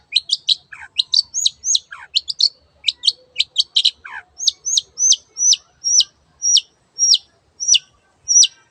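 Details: Long-tailed shrike in lively song, used as a lure to get silent birds singing: quick paired chirps with a few lower downslurred notes, then a steady series of sharp high notes roughly every half second.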